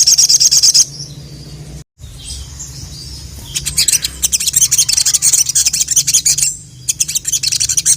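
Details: Sogok ontong (sogon) singing a full, busy song meant to call a male: high buzzy chattering trills in rapid pulses, broken by a brief pause, then long dense bursts of rattling notes, over a low steady hum.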